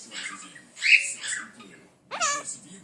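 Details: Pet Quaker parrot talking to its owner at home: a hoarse, speech-like phrase, a short pause, then a loud harsh squawky syllable with stacked tones near the end.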